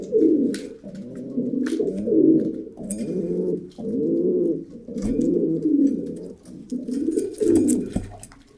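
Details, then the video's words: Pigeon cooing indoors, a run of low, throaty, rolling coos in overlapping phrases, several birds possibly calling together, with faint clicks and rustles in the background. "Pigeon Sound Effect - the sounds that pigeons make"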